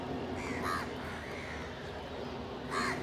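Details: Crows feeding together with a pigeon: two loud, harsh caws about two seconds apart, with faint hum between them.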